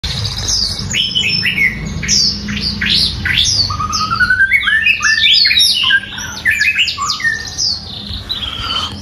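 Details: White-rumped shama with one moult season of plumage, singing very loudly: a rich, fast medley of varied whistles, sweeping slurs and chattering notes, mostly high-pitched, delivered almost without pause over a low background hum.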